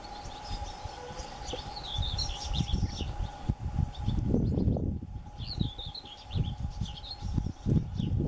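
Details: Four European bee-eaters at Portland Bill, Dorset, on 28 May 2014 give rolling, liquid 'prruip' calls in two short bursts, partly masked by heavy wind rumble and a steady low hum.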